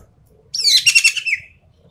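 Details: Javan pied starling, known as ekek keling, with a single rich rattling burst of rapid pulsed, buzzy notes layered over a shrill whistle, trailing off into a falling slur, from its full tembakan song.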